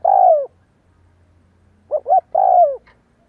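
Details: Spotted dove, a trained decoy, cooing repeatedly to provoke wild birds. A long falling coo ends one phrase, then a fresh phrase follows: two brief hooting notes and another drawn-out descending coo. A soft background hum is present.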